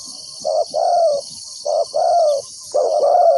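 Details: Ground decoy spotted dove luring wild doves. Three paired phrases, each a brief coo then a drawn-out, gently descending croo, with short pauses between. Constant high-pitched insect noise plays throughout.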